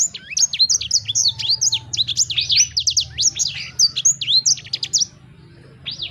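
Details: Sanger bird singing, meant to make your own sanger bird sing at once: a fast stream of high twisting whistles and chirps that stops near the end, followed by one last rising note.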